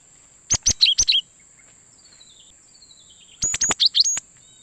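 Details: Cinereous tit (gelatik batu) lure call for attracting wild birds: two clusters of five or six loud, sharp, high chirps, with faint descending whistles between them and a steady high whine throughout.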